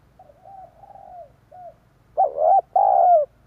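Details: A spotted dove's luring call, meant to excite wild doves. Soft, mellow coos lead into two loud, throaty coo notes at the end, with no other sounds heard.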